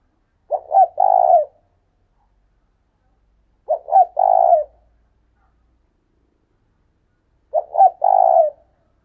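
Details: Caged decoy spotted dove calling in the 'thúc sung' style: three cooing phrases about every 3.5 seconds, each two short hooted notes then a longer, rolling, slightly falling coo, over an otherwise silent background.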